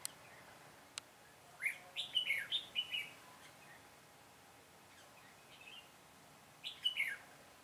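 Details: Red-whiskered bulbul used as a decoy for trapping birds, recorded 22 September 2017: a quick run of bright, warbled chirping notes, then a short second phrase after a pause, quiet against steady outdoor background hiss.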